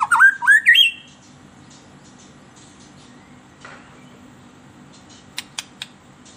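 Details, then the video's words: Lure song of a white-rumped shama for captive birds: one brief rising, looping whistled phrase at the start, then near quiet with a few sharp clicks near the end. "SUARA MERDU PANCINGAN MURAI BATU EMOSI"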